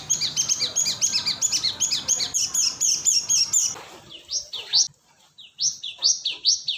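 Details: Cinereous tit lure call from Indonesia: a fast run of high chirps for nearly four seconds, then slower, clear upward-sweeping whistled notes in pairs.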